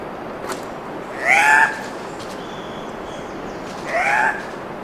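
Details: Andean cock-of-the-rock, Peru's national bird, at a courtship lek in Manu National Park, Peru, giving two loud, harsh, nasal squawks with a slight upward twist, about 2.5 seconds apart, over a faint high thin tone and soft hiss.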